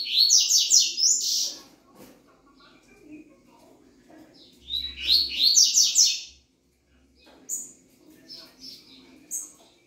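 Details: Double-collared seedeater song: two bursts of fast, sharp, descending buzzy notes strung together, about four seconds apart, followed by shorter high chips, over a steady low indoor hum.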